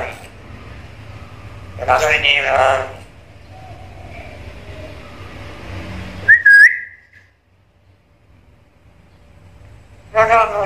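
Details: A chatty black-capped lory talking and mimicking varied sounds: harsh, voice-like bursts of stacked tones, then a short sharp whistle, followed by silence and another rough, speech-like burst.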